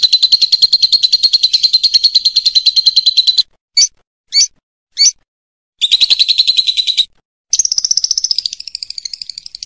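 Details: Lovebird ngekek for masteran, teaching other birds: a long rapid shrill rattle, three short squeaky chips separated by silence, a second dense chattering run, then a higher wavering trill that fades toward the end.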